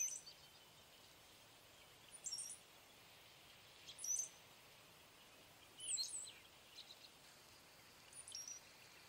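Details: Brown-headed cowbird with faint, high squeaky whistles and brief gurgled notes at irregular intervals of about two seconds, set against soft, constant background hiss.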